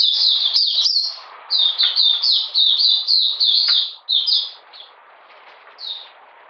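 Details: Oriental magpie-robin in cold wet weather, 13 June 2020, mid-deworming: quick bursts of shrill descending chirps that break into separate phrases, then fade to a few isolated notes.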